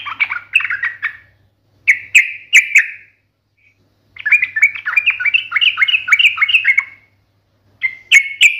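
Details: Fast bubbly phrases from a yellow-vented bulbul (trucukan) in the sharp 'ngalas tajam tarung' style. A warble, three loud clipped notes, a longer chattering run, and then more clipped notes follow, separated by short silences.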